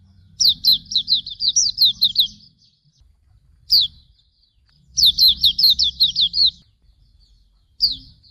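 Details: Hume's white-eye, recorded as master song for training other birds, gives bursts of rapid, high, downward-slurring whistles, a busy twittering phrase, a lone note, then another rushed phrase, with quiet gaps between.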